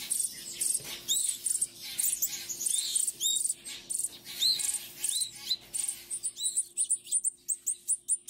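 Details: Hungry baby songbirds in care at a wildlife rehabilitation centre in late May, calling while being fed: thin, high chirps and short upslurred peeps repeated rapidly, becoming a fast regular series of sharp chips toward the end.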